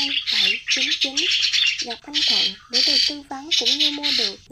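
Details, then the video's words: Starlings on migration in a trapping lure: quick runs of stuttering, nasal squawk notes, several in a row, with dense raspy high-pitched chatter filling the gaps. "Tiếng Sáo Đá Di Cư - Sáo Đầu Trắng"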